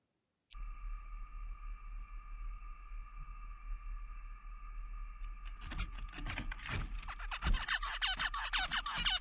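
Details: A steady electronic tone holds about five seconds, then a male zebra finch, having walked over on seeing a female, bursts into harsh, buzzy, rapidly repeated courtship song, accompanied by a dance, over faint background music.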